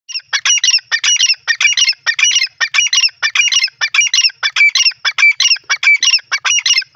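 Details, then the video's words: Francolin, known locally as teetar, calling in a forest: loud, harsh, scratchy multi-note phrases repeated rapidly and continuously for the whole stretch, about one and a half phrases per second, with no other sounds audible. "beautiful sound of francolin teetar pheasant in the forest"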